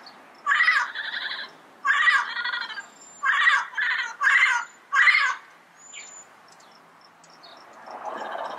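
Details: Yellow-headed parrots in the wild deliver a sequence of paired harsh squawks, six loud bursts, followed by quieter background sounds.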